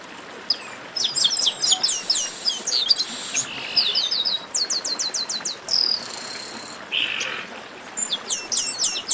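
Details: A "baderna" of chestnut-capped blackbirds, a group chorus used to stir kept birds into song: many birds at once, with clustered squeaky trills, bright rattles and sliding whistles with brief gaps between bursts.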